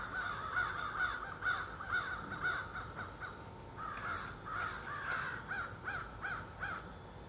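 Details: Morning calls from a flock of over thirty ravens in trees across the street; loud harsh caws in irregular runs, several birds overlapping.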